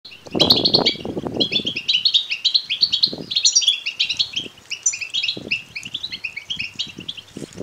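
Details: European goldfinch chicks begging, played to stimulate males to sing and mate: dense, rapid twittering of high, buzzy chirps, overlapping and continuous, with low thumps and handling knocks in the background.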